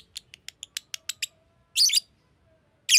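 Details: Green lovebird chirping: a quick series of sharp, high clicking chirps, then a harsh raspy burst, with a faint steady whistle-like tone underneath.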